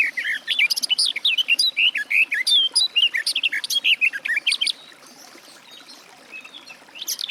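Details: Garden warbler pouring out a long, even run of liquid, chattering warble notes for nearly five seconds, then falling quiet except for a faint closing note.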